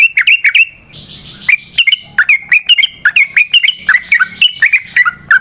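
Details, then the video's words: Trucukan (yellow-vented bulbul) singing energetically in 'ropel' style as a lure for other trucukan: brisk runs of sharp, down-slurred whistled notes, uneven in spacing, with a brief soft hiss between phrases. "Trucukan GACOR ngalas ROPEL PANJANG suara alam AMPUH buat pancingan"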